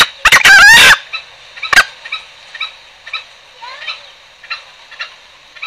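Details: Green junglefowl lure sound for trapping: one loud, strained, harmonic call near the start, then a faint, steady series of short clucking notes about twice a second.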